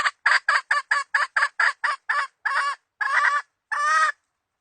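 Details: Decoy hen, 2020 season, recorded for luring birds into traps: a fast run of about ten sharp clucks that slows and stretches into three longer, drawn-out cackling notes at the end.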